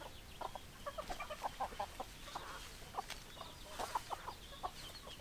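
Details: Soft, distant clucking from several hens, quick low notes in loose bursts against constant background noise.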